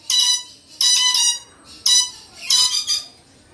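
A Moluccan red lory gives harsh, grating screeches in four loud bursts, each about half a second, with nothing else heard.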